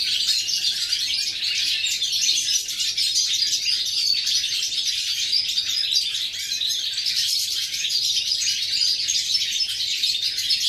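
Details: Steady, jangling chatter of high twittering notes from a European goldfinch, recorded 11 September 2018, continuing evenly without breaks.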